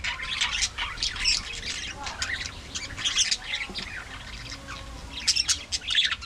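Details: Aviary flock of budgerigars with steady busy chatter: scratchy squawks and short high chirps overlapping throughout, no pauses.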